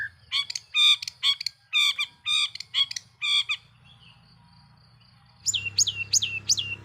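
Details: A long-tailed shrike's provoking lure song: rough, nasal squawking bursts, a short pause, then a sudden switch to sharp, falling high notes over louder background noise.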